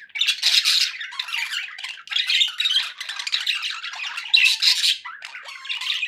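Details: Pet budgies chatter in scratchy, rasping warbles, with loud squawking bursts at the start and after the fourth second, separated by softer chirpy stretches.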